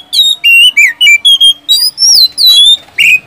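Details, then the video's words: Oriental magpie-robin whistling a lure song for reluctant caged kacer; clear, pure whistles, some level and some swooping, repeated in quick separate notes about every quarter second. "SIULAN dan TEMBAKAN kacer satu ini,DIJAMIN ampuh buat pancingan kacer macet malas bunyi jadi gacor"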